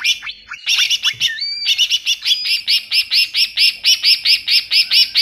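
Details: Greater green leafbird, a wild-bird lure recording: opening varied whistles and slurred notes, then a steady run of bright, fast repeated chattering notes, about one per quarter second, high-pitched and loud throughout.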